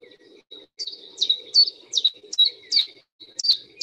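A Common Chiffchaff sings a steady run of high, clipped notes, two or three a second, alternating slightly in pitch like 'chiff-chaff', over a faint low hum.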